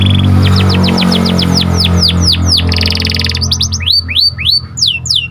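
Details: Panda canary song, played to raise excitement in other canaries: rapid series of high downward-sweeping whistled notes, buzzy rolled trills and fast repeated phrases, over a steady low hum.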